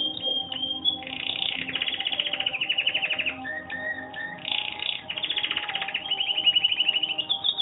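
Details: Canary about one month into training, singing a series of rolling trills, each held for a second or so, broken by a few lower whistled notes between.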